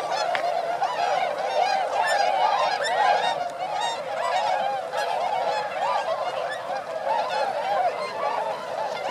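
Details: Flying flock of roughly 905 swans over rice fields in Inzai, Chiba, Japan, December 2014; dense, continuous honking and bugling from many birds, overlapping curved notes with strong harmonics.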